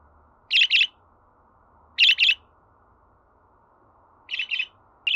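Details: Budgerigar giving short, bright chirps, mostly in quick pairs, with bursts spaced about one to two seconds apart over a faint steady background hum.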